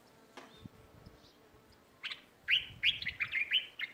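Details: Sparrows in a neighbourhood garden give a quick run of sharp, bright chirps in the last second and a half, each note high and clipped, over soft low background rumble.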